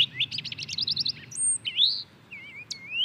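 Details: Purple finch (Haemorhous purpureus) singing a quick run of repeated chirping notes followed by a few long slurred whistles, one high and thin, others rising; low background rumble.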